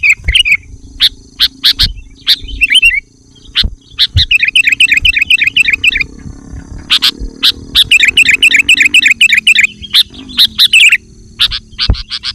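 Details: Sooty-headed bulbul, loud lure song meant to make other bulbuls respond; scattered sharp chirps with two long stretches of rapid twittering, steady low hum throughout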